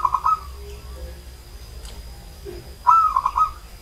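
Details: Old zebra dove coos twice, the phrase a bright upslurred note dissolving into quick even pulses, with soft low notes and a faint click between, over quiet hum.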